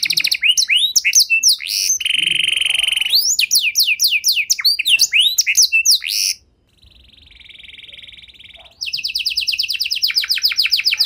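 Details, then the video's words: Pet canary singing long, elaborate phrases to prompt quiet canaries to sing: fast bursts of sweeping notes around a buzzy held tone, a soft steady hum mid-way, then a dense high rattling trill. "Kenari Gacor Durasi Panjang Cengkok Istimewa! Efektif Buat Memancing Kenari Macet Biar Gacor Kembali"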